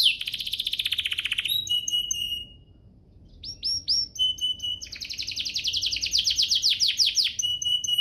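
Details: Canary singing to spur other canaries to sing: a dense fast trill, a pause, then rising chips and a long rattling trill with a steady whistled tone.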